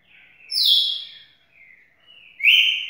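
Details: Loud, rich whistle from a champion red-cowled cardinal drops to a steady tone, followed by softer warbled notes and another rising, sustained whistle.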